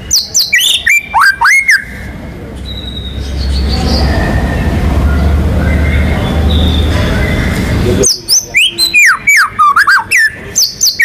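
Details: White-rumped shama in vigorous contest-style song, filled with rolling and 'shooting' phrases to provoke other birds: bursts of fast, varied whistles and sharp chips open and close the passage, with a stretch of loud broadband noise in between.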